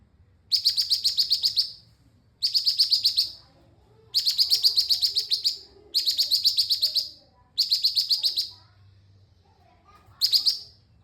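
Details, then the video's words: Energetic orange-spotted bulbul song in full form, six quick bubbling phrases of rapid repeated high notes, each lasting around a second, separated by short pauses, little else audible. "Cucak cungkok gacor"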